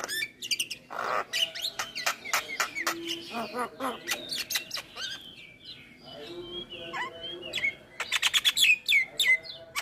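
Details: Javan myna (jalak kebo) singing a full, varied song: dense mix of harsh broadband chacks, rising and falling whistles, squeaky chirps and buzzy notes in quick succession, with brief quieter gaps.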